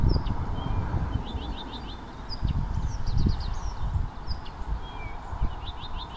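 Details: Blyth's reed warbler singing in June at Frantsila: high thin whistles and quick rapid trills of short downslurred notes repeated in bursts, over heavy low rumbling background noise.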